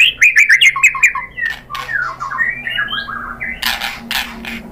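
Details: White-rumped shama song used as a lure to stir another bird into answering: a quick run of repeated chirpy notes, then varied sliding, warbled phrases, with loud clattering noises near the end.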